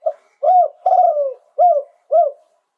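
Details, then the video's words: Live song of a Spotted dove in the "โยน 2 กุก" style. There is one complete low cooing phrase: a short lead note, a rounded coo, a long slurred coo sliding downward, then two clipped arched coos. The background is otherwise silent. "โยน 2 กุก คารมเด็ด เสียงนกเขาใหญ่ ขันสด"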